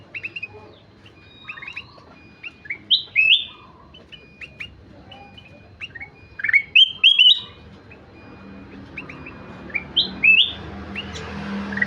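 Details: Kutilang emas in energetic song. Chirps and slurred whistles come in clusters, with loud bursts of rising and falling notes and a faint hum late on.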